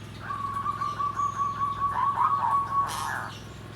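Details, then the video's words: Zebra dove (perkutut) song in the style called nggandem gedhe garing: a sustained, trilled mid-pitched coo of about two and a half seconds, slightly warbling near its end, then a brief noisy burst. A steady low hum runs underneath. "SUARA PERKUTUT GENDOWO SABDO || NGGANDEM GEDHE GARING"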